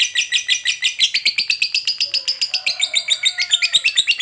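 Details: Long rapid trill from a lovebird of the fighter type, used to provoke other lovebirds into calling: quick repeated high harsh notes in a steady run, with faint lower whistled tones in the background.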